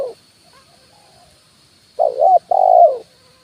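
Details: Spotted dove 'kuk 1' luring call, branch and ground: after a brief coo fragment and a pause, one full phrase of a wavering coo and a longer steady coo, otherwise quiet.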